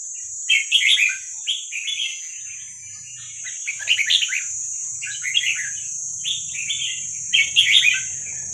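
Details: Wild Vietnamese red-whiskered bulbul song, kept for playing to train young birds: short bubbly warbled phrases in bursts every second or so, the loudest near the end, over a steady high electronic whine and faint low rumble.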